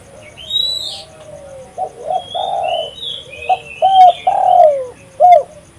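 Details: Lively spotted dove call for attracting and trapping doves; a soft drawn note leads into stacked low coos, a long swelling coo and a short final one, with high whistles of other birds.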